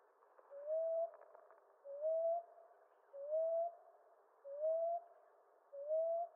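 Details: Common ground dove, eastern North America: five regular, soft rising coos, each a brief upward-bending whistle-like hoot, delivered at a steady rhythm of about one every 1.3 seconds.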